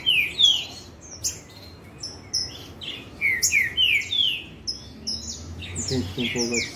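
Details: Several green-winged saltators sing against each other in a dispute. Loud, clear, downward-sliding whistles come in quick runs of two or three, overlapped by higher, thinner notes. The background is quiet apart from a faint low rumble.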